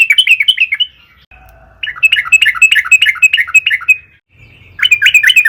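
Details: Lure recording of a sooty-headed bulbul in long, persistent song, meant to provoke other bulbuls into singing. Bursts of sharp, slightly squawky chirps repeat rapidly, with short pauses between runs.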